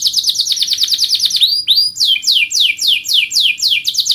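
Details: Canary contest training song opening with a fast stuttering trill, two upward-curving whistles, then strong descending swept notes repeated roughly three times a second.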